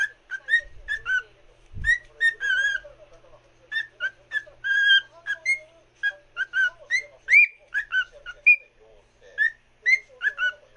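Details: Pet cockatiel warbling a song toward a fellow cockatiel: long run of clear whistles, upslurs and short chirps repeated in loose phrases, with a single low knock early on.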